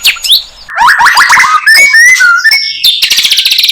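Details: In the wild, a flycatcher called sikatan londo sings quick chattering notes followed by pure whistled slides, and ends with a rapid, even trill of high ticks.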